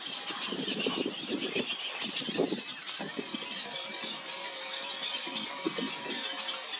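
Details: Juvenile Roseate Spoonbills that have left their nests beg their parents for food at a Texas nesting colony on a late-June morning, giving harsh, wheezy begging calls in quick bursts, several per second, over a steady high hiss of colony noise.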